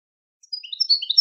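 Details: European goldfinch song fragment: after half a second of silence, quick high tinkling chirps and twittering notes build up, with no other sounds.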